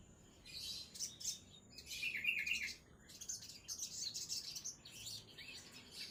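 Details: Sogon songbird singing a lively mix of high chirps, a brief rattling trill near the middle, and bright twittering phrases that follow one another closely.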